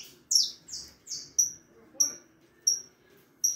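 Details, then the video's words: Young harlequin saffron finch, four and a half months old: three broad downslurred chirps followed by thin, sharp, evenly spaced whistled notes roughly every two-thirds of a second. "canario da terra filhote arlequin cantando muito 4 meses e meio de vida canario ancestral"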